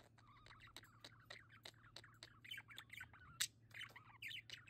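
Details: Several pet budgerigars (Australian parakeets) enjoying their indoor play area; busy chattering of short chirps, warbled notes and squawks tumbling over one another, with sharp clicks throughout and one loud harsh squawk near the middle.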